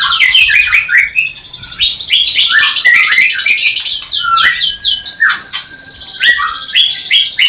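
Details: White-rumped shama of a new breeding pair not yet producing, mating call used to stimulate breeding desire: dense, fast run of varied whistled notes, sweeping up and down, with quick chirps and trills throughout.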